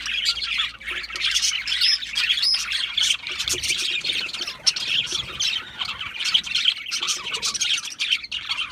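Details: Budgerigar chorus with rapid twittering and rasping squawks, short whistled notes poking through, the noisy chatter sustained throughout.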